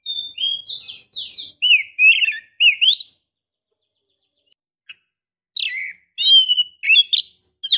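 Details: Female Oriental magpie-robin in breeding condition, calling a male: lively runs of upslurred whistles and chirps, a quiet gap of about two seconds, then another varied whistled burst.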